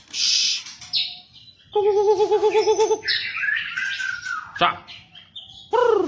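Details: White-rumped shama song intended as a model for captive shamas: high buzzy notes, a rapid warbling trill lower in pitch, long sliding whistles, and a final full curved call.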